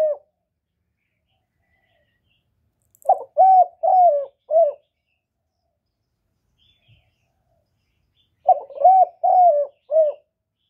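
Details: Spotted dove giving cooing bursts to lure wild doves to the trap site, recorded without background noise: quick runs of four or five short, low, rounded coos, with a pause of several seconds between runs.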